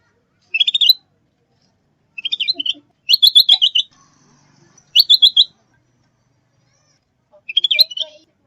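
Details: Lure call of a zebra-type sooty-headed bulbul for trapping and training birds: five quick runs of sharp, high chattering notes, some rising at the start, separated by silent gaps of one to two seconds.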